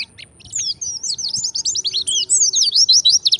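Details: Gacor pleci, or white-eye, in ngalas style: a couple of short chips, then a continuous fast stream of high, sweeping whistled and twittered notes, slightly scratchy, with a faint steady low tone behind.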